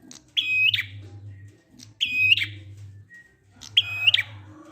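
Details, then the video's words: Lure song of a prinia ('ngalun' style) for drawing silent birds into song: three strident, buzzy high phrases roughly every 1.7 seconds, each closing with a brief flick, over a constant low hum. "Prenjak ngalun ampuh 100% buat prenjak macet agar ikut bunyi"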